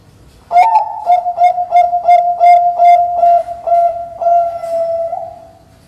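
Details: Zebra dove of the Bangkok type, a contest bird, singing a loud, clear, bright song used to encourage other doves to sing: a rapid series of about a dozen mellow, low cooing notes at a steady pitch, each slightly buzzy, in a quiet setting.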